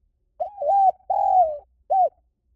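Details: Lure recording of a spotted dove: one low, mellow cooing phrase made of a short lead-in note, a drawn-out wavering coo, a longer coo sliding gently downward, and a clipped final coo.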